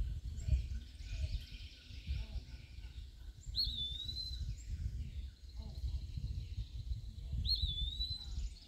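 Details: Eastern wood-pewee on a dead branch in woodland at Point Pelee National Park, Ontario, singing between insect-catching flights. Two drawn-out slurred whistles come about four seconds apart, with low rumbling noise and faint other chirps.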